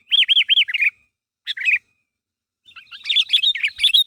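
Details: Sooty-headed bulbul calling to draw a reply from others: three clear arched whistles and a short trill, a brief pair of notes, then a busy jumble of chirps.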